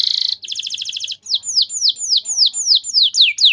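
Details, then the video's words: Canary in full lure song for song training: a quick buzzy trill, then a run of clear, evenly spaced down-slurred whistles, about three per second. "Terapi Burung Kenari Cepat Bunyi Gacor Dengan Suara Pancingan Kenari Gacor Nembak Panjang Ini"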